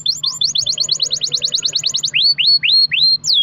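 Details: Canary song played to make other canaries sing: about twenty quick rising chips in a rapid run, followed by four slower, louder upward-sweeping whistles.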